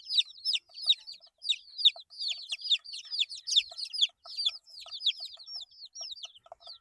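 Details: Eight-day-old domestic chicks peeping in a busy chorus: many high, downward-slurred chirps overlapping continuously, with faint low pecking taps underneath.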